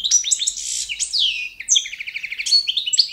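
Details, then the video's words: European goldfinch, Carduelis carduelis balcanica, with standard competition song: continuous twitter of tinkling chirps, a downward slurred note, then a quick rattled series of repeated notes. "goldfinch song - World Championship"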